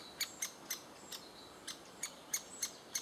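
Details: Great spotted woodpecker in June 2011, adults feeding chicks, giving sharp, high, clicking 'kik' notes, about three a second at an uneven pace, over a faint background hiss.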